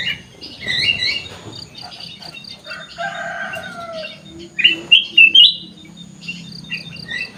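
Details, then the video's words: Sooty-headed bulbul in an aviary, with mixed chirping from other birds early on, then a loud, ringing series of three or four whistled notes near five seconds. A faint high buzz persists. "kutilang emas gacor cor cor"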